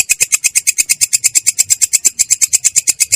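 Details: Rolling "ngerol" song of a long-tailed shrike, described as clear but coarse: a rapid, machine-like series of harsh, grating notes, roughly seven each second, very even in spacing.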